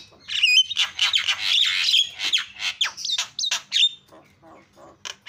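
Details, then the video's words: Javan myna calls played to goad other mynas into calling: rasping, noisy squawks mixed with short whistled notes, dense in the first half, then scattered sharp clicks and chirps with a faint low hum. "PALING MANTUL SUARANYA MENGGODA JALAK CEPAT TERIAK"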